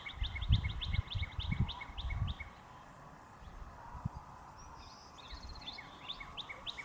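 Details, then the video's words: Female cardinal in the trees calling for her mate, a bright red male nearby on a wire: quick run of short, sharp downslurred chirps for about two and a half seconds over low wind rumble, then fainter scattered chirps. "Female & Male Cardinal Bird Mating Call Sound"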